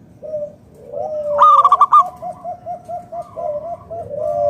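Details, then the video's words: Local wild-type zebra dove singing to lure other doves into song: a soft coo, then a loud burst of about five rapid staccato notes, followed by a run of about eight evenly spaced low cooing pulses, with softer coos behind. "PERKUTUT LOKAL GACOR SUARA PALING AMPUH UNTUK PANCINGAN BURUNG PERKUTUT AGAR NYAUT BUNYI GACOR"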